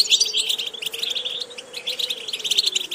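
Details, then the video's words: Goldfinch singing in a recording meant to train a goldfinch's vocal repetitions: quick high chirps and tinkling twitters in a fast, continuous stream, with a faint steady low hum underneath. "Watch how to develop a distinctive vocal character for the Goldfinch"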